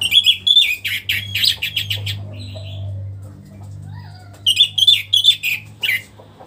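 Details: After moulting, a caged orange-headed thrush sings again. Loud clusters of quick whistled notes open and close the phrase, with softer slurred whistles in between and a steady low hum behind.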